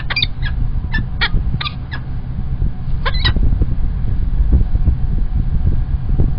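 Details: A male peregrine falcon arriving with early breakfast at Kingston College, UK, 1 March 2021, gives short, harsh, chipping calls in a quick burst over two seconds, then two more a second later, over steady low wind rumble.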